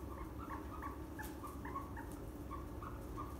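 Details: Young farm ostrich chicks in Saitama Prefecture, Japan, May 2020, giving a rapid, slightly irregular series of brief mid-pitched peeps over a steady low hum.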